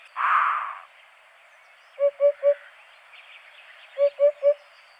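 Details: Two clear groups of three low, hollow hoots from a Eurasian hoopoe, each group evenly paced about two seconds apart, after a brief rushing noise at the start; quiet higher bird chatter in the background.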